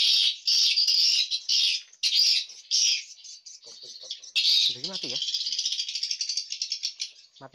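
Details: Swiftlets inside a swiftlet house where chicks hatch: bursts of shrill, buzzy chattering from many birds, then a run of rapid clicking, with a short human voice in between.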